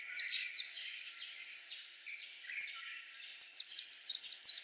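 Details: White-eye song: a few high, falling chirps at the start, a long soft lull, then a quick series of about seven sharp descending notes.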